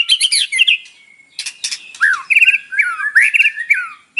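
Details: White-rumped shama singing an isian-filled song in the morning, used as a lure to provoke captive birds into singing; rich whistled phrases, a long steady whistle, then sharp rising and falling notes in quick bursts.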